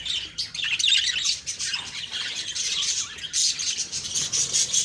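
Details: Budgies chirping on an October 2, 2023 morning, with a thick chorus of scratchy, high chirps and squeaky notes from many birds, steady and without pause.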